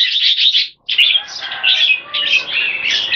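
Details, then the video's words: Speed display by two caged competition red-whiskered bulbuls: a loud burst of rapid whistles, a very brief silence, then a steady stream of sweet chattering notes. "JAMBUL - OLYMPIAN CLASS - SPEED ACTION DISPLAY & KEKE"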